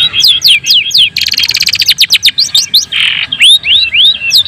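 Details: Long-tailed shrike song intended to provoke other shrikes: quick downslurred whistles, a fast buzzing trill, a harsh rasping burst, then rising whistled notes repeated in rapid succession.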